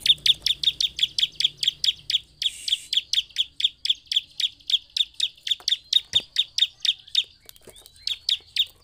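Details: Ciblek, the bar-winged prinia, singing to provoke rival prinias: a steady train of high, sharp chip notes, roughly three per second, with a short break past the middle, quiet background.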